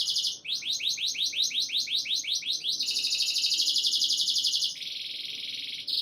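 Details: Singing canary for breeding conditioning, meant to boost a female's mating instincts: a run of quick rising swept notes about four per second, followed by a dense buzzy high trill and then a lower rolling trill.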